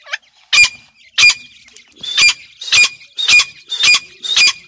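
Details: Young grey francolin being fed: loud, harsh squawking notes, each a short burst with a whistled core, repeated about every two-thirds of a second, seven in a row against a quiet background.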